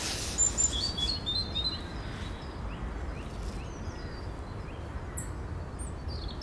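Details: European robin (Erithacus rubecula) singing on 10 April 2021: thin, high, scattered notes and short twittering phrases, most active in the first two seconds, over a steady low background rumble.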